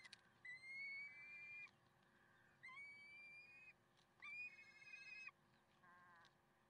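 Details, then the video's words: Peregrine falcons at Karlsruhe, recorded 30 May 2010: three drawn-out, evenly held wailing notes, each about a second long with rich harmonics, separated by short pauses against a faint background hum. "Slechtvalken Karlsruhe"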